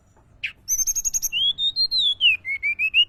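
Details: Mountain tledekan lure call: a brief buzzy note, then a run of high thin chips and a series of clear whistled notes that slide and rise, with a faint low hum behind.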